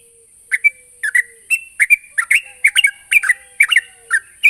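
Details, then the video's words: Sooty-headed bulbul calling to provoke a rival, a busy run of short chirps and slurred two-note phrases repeated more than once a second at an uneven pace, with a steady high hiss and faint low tones underneath. "suara burung trucukan gacor memanggil lawan"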